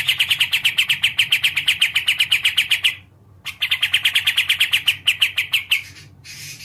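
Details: Kapas tembak (sooty-capped bulbul), a songbird popular with bird keepers, delivers a long fast run of sharp, high chirps. After a brief pause it gives a second equally rapid series, ending in a short hiss.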